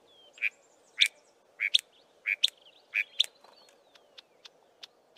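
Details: Wild chinspot batises foraging in tall acacia trees, a male giving a loud three-note descending call and a softer call in between: a rhythmic series of clear whistles alternating with higher sharp notes, then scattered faint clicks.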